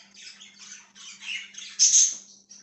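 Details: Budgerigar giving soft, rapid, chattering twitters that build to one loud, bright, high squawk near the end, with a quiet electrical hum throughout.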